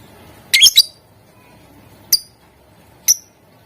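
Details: Lovebird chirping meant to prompt other lovebirds to sing: a harsh double squeak followed by two single sharp high chirps spaced about a second apart.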